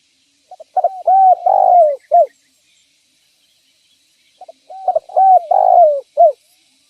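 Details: Spotted dove lure call for attracting other spotted doves: two matching phrases four seconds apart, each a quick run of short rising coos, a long falling coo, and a short clipped closing note.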